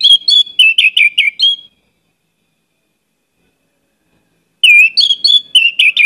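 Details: Orange-headed thrush in full, lively song with many varied phrases: two bursts of clear whistled notes, each a quick string of slurred and warbled elements, separated by a pause of about three seconds.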